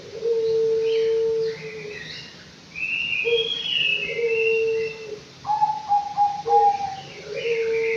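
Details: Anggungan, a five-month-old bird kept in an aviary, giving long, steady, low whistled notes, then a quick series of slightly higher clipped notes, with higher chirps from other birds throughout.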